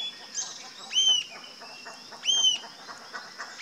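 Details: Rufous-tailed jacamar giving two clear, sharp, high arched call notes about 1.4 seconds apart, each rising then falling quickly, over a constant high-pitched insect drone and soft background chatter.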